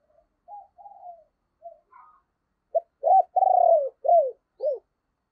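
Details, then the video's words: Captive spotted dove used as a morning decoy for wild doves: quiet, low coos at first, then a loud run of sharp hooked notes, a long vibrating coo and two more clipped notes. "cu gáy - Chim Cu Mồi Thúc Và Gáy Gọi Bổi, Dùng Kích Bổi Vào Buổi Sáng Rất Hiệu Quả"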